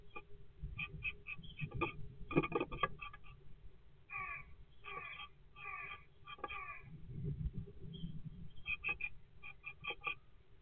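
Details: Great tit at a nesting box on 20 February 2024, giving harsh, buzzy churring calls in short rattling bursts, with a low rumble and a steady background hum throughout.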